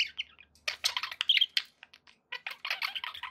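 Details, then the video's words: Contented pet budgerigars chatter in dense bursts of scratchy warbling and squeaky chirps, broken by a couple of clicks and short silences. "happy budgie sounds"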